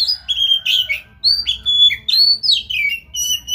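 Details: Oriental magpie-robin singing, used to stimulate another bird to sing: loud, varied whistled phrases with pure sustained notes, sliding downward slurs and sharp rising flicks, delivered in quick bursts with short gaps, over a faint low rumble.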